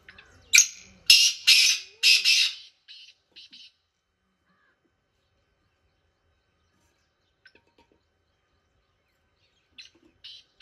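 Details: Black francolin in village fields giving a loud, harsh call of four rasping broadband bursts in close succession, followed by several quieter short notes and long silence.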